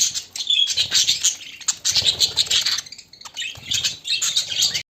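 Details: Pet budgerigars, a white one looking for a mate: lively high-pitched chirps and whistled warbling notes in quick bursts, a brief lull near three seconds, then more chattering from several birds.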